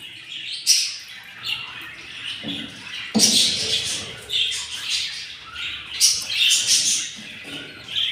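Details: Very hungry chicks of yellow budgerigars, day 7 after hatching from four eggs: repeated rasping high squawks and chirps in uneven bursts, with brief scratchy knocks in between.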